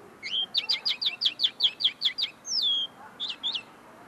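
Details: Tame common linnet, still refining its notes, singing close in front of the recordist: a quick series of about ten sharp twittering notes, then a long falling whistle and a few final chirps.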